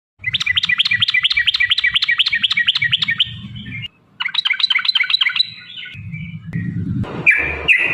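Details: Songbird recording used for training songbirds, locally called trucuk: rapid series of sharp repeated chirps near steady pitch, about four per second, a brief gap, then another chattering burst and a few loud squeaky notes, with low rumbling background noise.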